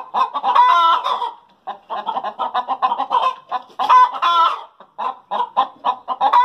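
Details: Hens cackling after laying eggs in a backyard flock: rapid runs of short harsh clucks broken by louder drawn-out squawks near the first and fourth seconds, with several birds overlapping and no other sounds.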